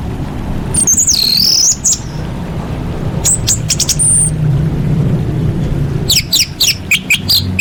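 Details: Calling female orange-headed thrush, a lure to start silent birds singing. A high, warbled whistle comes first, then sparse sharp notes and a closing run of quick, high, downslurred chirps, over a low hum.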